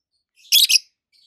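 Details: Peach-faced lovebird, one of two healthy adult green birds, one red-faced and one yellowish white-faced, chirping: a single short harsh double chirp, high and buzzy, in a quiet setting.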